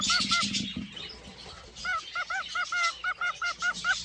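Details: Male cockatiel showing courtship behaviour toward a female in a cage; a brief noisy scuffle first, then a steady series of short, arched whistled notes repeated rapidly, roughly three to four per second.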